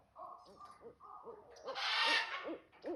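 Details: Barred owl in a backyard giving a string of short, arched hoots, evenly spaced. A loud hissing burst of noise briefly masks the calls midway.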